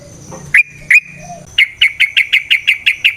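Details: Yellow-vented bulbul in aggressive fighting song intended to provoke a response: two clear whistled notes, then a steady series of about ten sharp, bright notes repeated roughly three per second, with low background hum.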